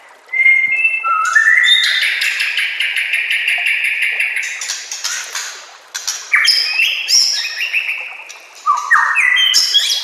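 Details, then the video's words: White-rumped shama song used as a training recording for caged shamas, set with nature sounds and trickling water; long echoing whistled notes overlap in layers, gliding from low to high, with bright chirps near the end. "murai batu anda dengar suara MASTERAN burung seperti ini"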